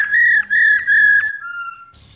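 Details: Female black-throated laughingthrush giving its 'rò' call to stir males into singing: three loud, clear whistled notes at steady pitch, each about a third of a second long, then a softer lower whistle fading out.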